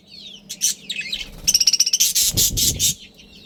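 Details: A breeding pair of budgerigars and their family. Scratchy high chirps lead into a fast run of sharp, evenly pulsed clicking notes, then loud harsh chattering bursts, over a faint low hum.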